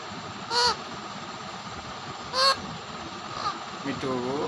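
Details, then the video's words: Pet Alexandrine and rose-ringed parakeets fighting each other give two loud, harsh, ringing squawks about two seconds apart, then a fainter squawk and a lower rasping sound, over a steady background hum. "Raw and Ringneck Parrots Fighting"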